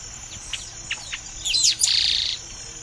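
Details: A chestnut-capped blackbird, a bird typical of Brazilian marshes and wetlands whose whistles recall another blackbird's, gives a few short, high whistled notes, then a sharp, buzzy burst of higher whistles lasting about a second.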